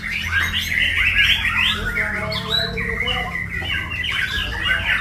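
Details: White-rumped shama (murai batu) in a full-isian master recording, song packed with varied fills: rapid, varied whistled and chattering phrases without pause, some steady tonal notes underneath mid-clip, a constant low hum throughout.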